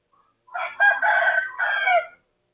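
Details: Neighbour's rooster, 23/01/2568 at 12:12: a complete, loud crow with a brief opening note, a long hoarse middle and a drawn final phrase, in otherwise quiet surroundings.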